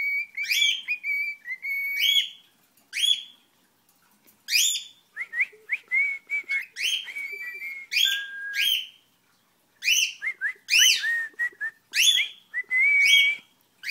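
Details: A special-needs pet cockatiel sings a learned tune in bright whistled phrases, rising and wavering notes broken by short pauses.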